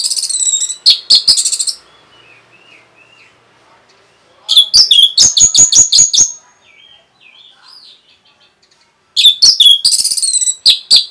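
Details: Three bursts of fast, bright Orange-headed thrush song, each a rapid string of sharp notes, used to spur other birds. Quieter soft warbles fill the gaps between bursts.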